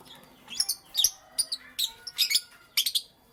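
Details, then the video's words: Morning chirping of lovebirds: quick, shrill tweets in clustered pairs and triplets, repeated roughly every half second with little else audible. "Lovebirds Chirping Sounds"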